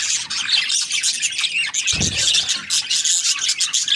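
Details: Budgies in full chatter, overlapping high scratchy chirps and squeaky warbles without a break, plus a single low thump near the two-second mark.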